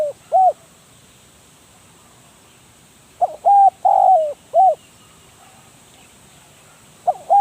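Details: Spotted dove with red eyes, a decoy bird for trapping, giving short hollow coos, then a phrase of four mellow notes whose third note is drawn out and slightly falling; another coo begins near the end.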